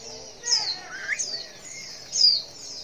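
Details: Female white-eye call used to make males respond: thin, very high downslurred notes, three short bursts with a brief lower rising note between them.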